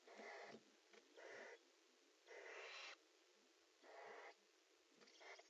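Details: Hoarse, rasping hisses from barn owls during mating in a nest box, several long breathy bursts spaced unevenly, with soft shuffling noises in the pauses.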